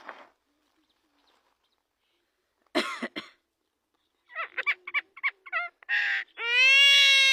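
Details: Javan myna imitating human speech: after a short burst, a harsh rasping phrase, then a run of quick choppy syllables, a noisy chunk and a long, steady, tonal, voice-like note.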